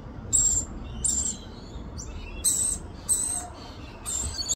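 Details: Rainbow lorikeet from Australia feeding her baby: five short, wheezy, piercing high squeals, irregularly spaced roughly every three-quarters of a second, over a soft low background hum.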